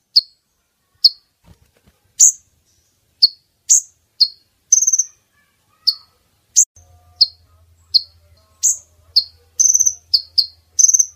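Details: High, clipped chips from a female brown-throated sunbird, used as a lure for males in net trapping. They come at irregular intervals, with trilled bursts later on, a brief low thump early, and a faint low hum toward the end.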